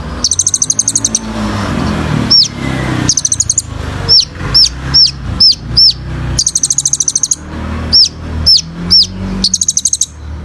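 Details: Sunbird song used for training other birds: very high, rapid ticking trills alternate with single sharp downslurred notes repeated about every half second, over steady hiss and low rumbling background noise.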